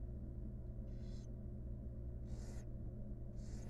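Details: Barn owl mother grooming her chicks inside a wild nest box; three rasping hiss-screeches, each under half a second, spaced roughly 1.3 seconds apart, with a constant low hum beneath.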